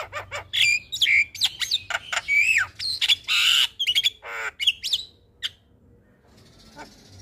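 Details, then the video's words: Morning call of a Javan myna that sets other mynas answering: a busy run of harsh chacks and bent whistles, then a loud raspy burst, tapering to a few scattered notes and near silence. "Suara Panggilan jalak kebo Pagi Hari Bikin Jalak Lain Auto Respon"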